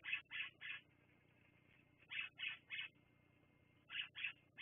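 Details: Bald eagle at the Fraser Point nest, captured by a live camera in the late afternoon, calling in clipped high chirps grouped in threes, with pauses of about a second between groups.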